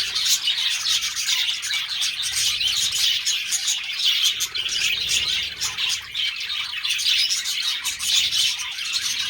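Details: Budgerigars mating, a flock's busy high-pitched warbling and chirping running nonstop, many scratchy notes layered together, with one slight dip in loudness midway.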